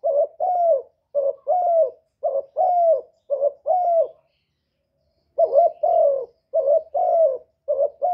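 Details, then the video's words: Spotted dove from Cà Mau, Vietnam, calling to stir up decoy and wild doves for trapping: low, mellow coos in short-then-long pairs, repeated in steady phrases, with a pause midway before the cooing resumes; otherwise clean, without background noise. "TIẾNG CHIM KÍCH MỒI KÍCH BỔI CỰC HAY CỰC CHUẨN, CU GÁY CÀ MAU"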